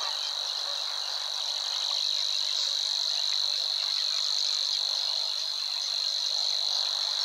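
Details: Singing Savi's Warbler in marshland at Wetering West, Overijssel, near the Weerribben, in May 2022: a steady, unbroken high buzzing reel held throughout, with faint scattered chirps of other birds below.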